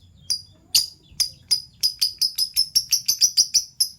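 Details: Fischer's lovebirds, PB violet and euwing gold opaline, chirping in the morning: a steady series of sharp high chirps that speeds up from slow single notes to a fast, even run of about sixteen calls.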